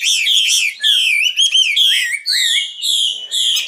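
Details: Nightingale song of drawn-out, full-toned whistled notes, held steady or gently sliding, given in short phrases with brief pauses between them.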